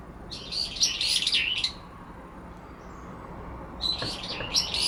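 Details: Two brown-eared bulbuls disputing territory in a cherry tree in late September, the resident bird calling over the intruder to drown out its song; harsh, dense chattering bursts, high and buzzy, about 1.5 seconds each, one early and another near the end.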